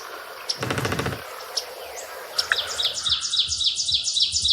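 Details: Woodpecker drumming on a tree trunk to mark its territory: one quick, rattling roll lasting about half a second. Other small birds then chirp in fast, high, repeated notes.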